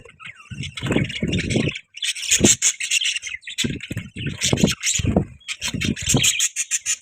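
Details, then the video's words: Pet budgerigars chirping: short bursts of scratchy, buzzy chirps and warbles that come and go in bouts of about a second, broken by brief pauses, with low thumping handling or movement noises underneath. "Budgies Chirping sound"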